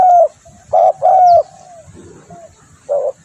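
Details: Spotted dove lure call: a falling coo, then a short coo and a longer drawn one, a quiet pause, and two softer coos at the end.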